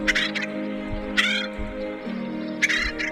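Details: Acorn Woodpeckers feeding a nestling-aged youngster in its nest hole in San Diego County. Three rough, buzzy call bursts roughly a second apart, with continuous humming music underneath.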